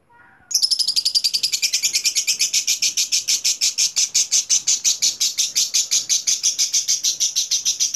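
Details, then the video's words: Lovebird chattering in ngekek style: after a half-second pause a sudden loud, very high rasping trill starts and continues steadily, pulses evenly spaced about six per second. "Burung Lovebird Ngekek Jernih Pancingan Buat Lovebird Ngekek Panjang"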